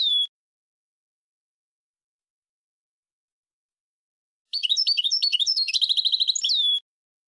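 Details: European goldfinch song: a short whistled note, a long pause, then a rapid, jangling twitter of high chirps and fluttering trills for about two seconds, closing with a sliding whistle.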